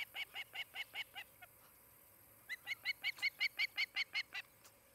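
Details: At a nest in Charlo, Montana, an osprey gives loud, shrill whistled chirps in two quick bursts, roughly nearly three notes a second, separated by a short gap; nest camera, 23 July 2018, late morning, steady hiss behind.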